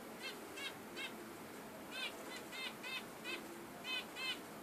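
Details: Caged budgerigar giving short nasal, harmonic chirps, single or paired, repeated at irregular intervals of about half a second to a second, over a steady hiss.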